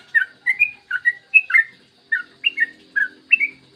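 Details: Yellow-vented bulbul, an actively singing bird with a long rapid song, recorded in the morning as a tutor to prompt other bulbuls to sing: clear bubbly whistled notes, rising and falling, in quick pairs with short gaps between.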